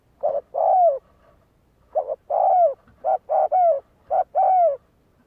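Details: Decoy-training spotted dove cooing repeatedly: four phrases of short paired notes leading into a longer downslurred coo, roughly one phrase per second, no other sounds.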